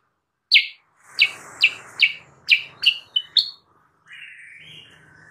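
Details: Sooty-headed bulbul, recorded as a lure for wild birds: a series of short downslurred chirps repeated about every half second, then a softer drawn-out warbled note at the end.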